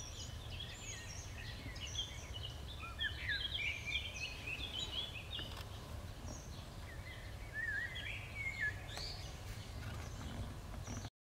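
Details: Eurasian wren chicks in the nest, begging: dense clusters of thin, high chirps and short falling squeaks, overlapping in bursts and fading in and out, over a constant low rumble of background noise.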